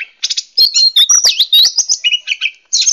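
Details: Oriental magpie-robin, a female said to be calling males, used as a lure for wild birds: a rapid, varied run of high whistles, chirps and scratchy notes, with short gaps and frequent changes of pitch.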